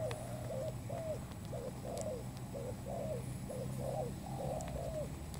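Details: Spotted dove call used as a lure for trapping: soft, low cooing notes in short rounded phrases, repeated steadily at about one per second, over a constant low hum and faint background noise.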